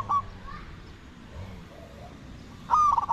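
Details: Spotted dove coo while decoying wild doves: a brief fragment at the start, quiet hiss, then a loud rolling phrase of rapid broken coos near the end.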